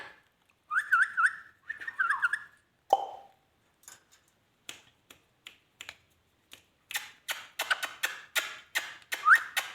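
An Indian ringneck parakeet gives two warbling whistled phrases and a falling note, then a rapid run of harsh raspy bursts ending in a short rising whistle.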